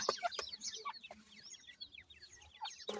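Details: Many captive ring-necked pheasant chicks being fed: a dense chorus of short, high, falling peeps repeated rapidly and overlapping, with a few louder knocks at the start and end.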